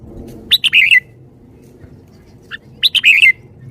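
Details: Caged red-whiskered bulbul showing the 'shaking bottle' song style: two bright warbled phrases of quick liquid notes about three seconds apart, with a soft chip between them over a low background hum.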